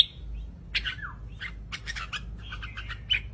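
Red-whiskered bulbul giving a quick run of bright, bubbly whistled notes with a few sharp chirps, over a low steady hum.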